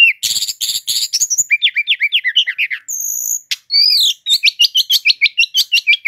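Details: Loud, tightly packed 'gacor' song of the Brown-chested jungle flycatcher, a native Indonesian bird: buzzy bursts, quick chattering whistles, a long high steady note, then a fast series of sharp repeated upswept chips.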